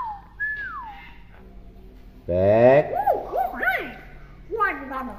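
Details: Talking pet hill myna, tame and good at imitating words, gives a short whistled slur, then a harsh buzzy burst followed by bouncing looped whistles and a closing rough phrase.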